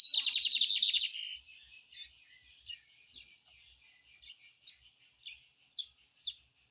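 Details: Lined seedeater kept in a cage opens with a loud buzzy rattling trill, then delivers a slower series of high, sharp chipping notes spaced roughly half a second apart in otherwise quiet surroundings.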